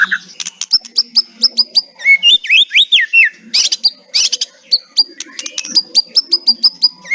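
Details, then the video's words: White-rumped shama in kretekan style: high repeated chips, a burst of looping whistled slurs, then more sharp evenly spaced clicks and trill fragments. "100 % KRETEKAN MEMBUAT MURAIBATU GACOR LOSSS...... COBA SOLUSI BURUNG MURAI MACET BUNYI"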